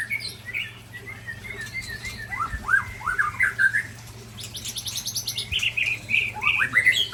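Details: During a song contest between Ujong Pancu and Tangse white-rumped shamas from Aceh, varied slurred whistles and chirps overlap. A high, rattling trill runs through the middle.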